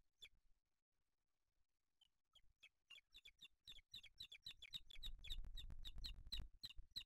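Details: Booted eagle at its nest with chicks in Spain, 8 July 2023, as the male brings a small bird for the older chick: sharp high chirping notes start sparsely, then quicken into a steady series of about three per second over low rumbling.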